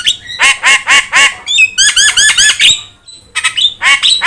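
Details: Javan myna, yellow-eyed, singing steadily, recorded as a tutor for training other songbirds: harsh, buzzy harmonic notes repeated about four times a second, then a run of quicker twanging notes, a brief pause, and more rasping squawks.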